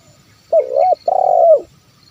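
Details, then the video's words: Close spotted dove (terkukur) coo of the 'kuk 1' style, meant to draw wild birds into calling: a smooth wavering hoot followed by a longer pulsing, purring note that slides down at the end. "SUARA TERKUKUR KUK 1 MEMANGGIL BURUNG LIAR"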